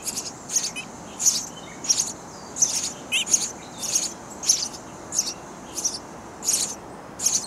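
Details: Baby sparrows in a bird house nest chirp loudly for food while their parents bring insects all day; high, thin chirps come in short bursts roughly every second, over a steady low background hiss.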